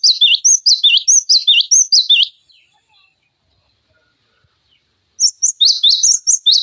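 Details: Cinereous tit singing a tutor song used to train magpie robins, green leafbirds and other songbirds: rapid high whistled two-note phrases repeated over two seconds, a pause, then the sharp phrases resume.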